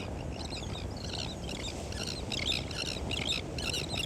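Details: Terns on a beach giving short, harsh, grating calls in quick irregular bursts, several in succession, over a steady rushing background noise.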